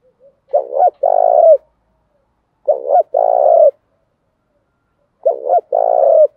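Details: Male and female spotted doves give a call used to spur training doves into cooing. Three even phrases, each of clipped stuttering notes then a longer vibrating coo, follow about every two seconds over silence.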